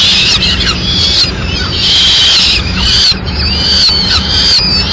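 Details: Peregrine falcon in Madrid bringing a swift for the chicks' breakfast; shrill squeals start, stop briefly, then return in longer wavering strands.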